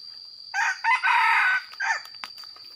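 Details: Red junglefowl used as a decoy during the rainy season, crowing: a short opening note, a brief second, a long harsh drawn-out middle phrase and a clipped final note, over a steady high insect whine.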